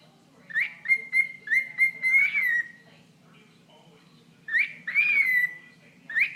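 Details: Indoor pet bird talking to a toe: a quick run of level whistles building into a rising squeal, a long pause, then drawn-out slurred whistled chirps.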